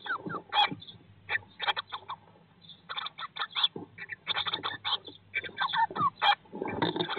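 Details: Eurasian blue tits inside a nest box on day 19 after hatching: clusters of sharp, thin chirps repeated in uneven bursts with brief gaps, some clear tonal notes, over soft scratching of movement in the box.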